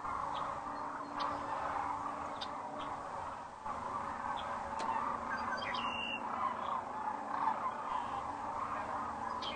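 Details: Sunset arrival of sandhill cranes at Rowe Sanctuary, Gibbon, Nebraska, on April 4, 2013, from a crane cam; an unbroken murmur of distant rattling calls from a large flock, with scattered clicks and a brief high squeak.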